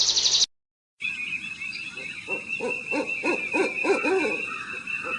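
An owl gives a quick series of low hoots, about four a second, over a steady high hiss and hum.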